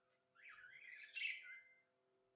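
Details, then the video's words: A single drawn-out squawk of about one and a half seconds from a happy pet budgie, harsh and wavering, climbing in pitch before trailing off, with a faint hum behind it. "Happy budgie chirping sounds"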